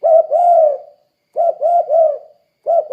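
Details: Spotted dove calling steadily, used to lure derkuku doves into calling: low, hollow coos in short groups of two or three rounded notes, separated by brief silent pauses.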